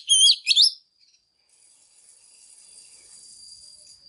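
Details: Brief burst of two loud, rich whistled and chattering notes from a female Oriental magpie-robin singing to excite males, followed by a faint steady hiss.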